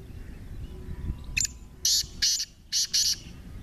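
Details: Fighting partridge (teetar), said to have 28 calls, gives a run of five loud, rasping, bursts within about two seconds over a low rumbling background.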